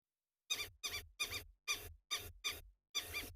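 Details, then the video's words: Lapwings call out at sunrise on 11 September 2020, vocal to intimidate and drive off nearby birds of prey that would eat their ground-nest eggs or chicks. Seven shrill, harsh notes ring in a quick, uneven series. "all the calls you're hearing in the background are from lapwings, because they do fear these birds of prey."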